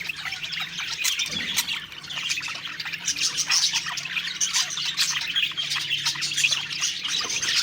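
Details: Happy parakeets singing and eating; overlapping twittering and chirping from several birds, constant and busy, with a few louder squawks near the end.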